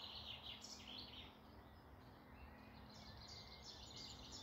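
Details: Woodland birds in morning song near Malton, North Yorkshire, heard as bursts of high, jumbled twittering from several birds over a noisy background with a faint low hum.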